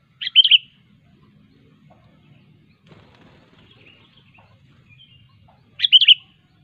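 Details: Natural recording of a sooty-headed bulbul singing vigorously to call rivals: a brief bubbly phrase, about five seconds of near silence with faint rustling, then a matching warbled phrase.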